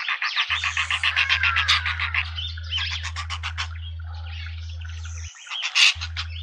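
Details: Juvenile hornbill with its parents in a suburban garden in Pretoria, South Africa: rapid run of clucking notes, about four per second, fading into softer chatter, with a steady low electrical hum underneath.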